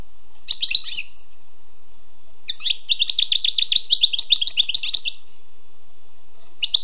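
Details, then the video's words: Wild European goldfinch: a brief twittering burst, a pause, then a long, fast, jangling run of mixed chirps and buzzes, closing with a short call. "Écoutez et appréciez le doux chant du chardonneret sauvage"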